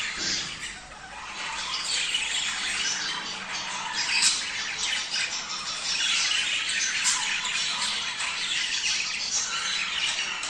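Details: Many budgerigars chatter together, a recording meant to encourage breeding: unbroken, busy warbling mixed with grating squeaks, and brief louder chirps around four and seven seconds.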